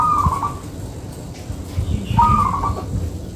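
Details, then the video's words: Local zebra dove in repeated song used to attract wild doves: a rolling coo phrase at the start and another about two seconds later, beaded and slightly rising, with low rumbling background. "Perkutut Lokal Manggung Rapet ||cocok Buat Pikat"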